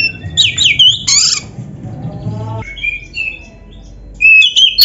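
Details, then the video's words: White-rumped shama in captivity delivering training song: a burst of complex twittering and whistled notes, a quieter stretch with soft whistles, then loud rising whistled phrases returning at the end. "MASTERAN KACER GACOR FULL ISIAN !! - Suara Burung Kacer yang cocok untuk LATIHAN"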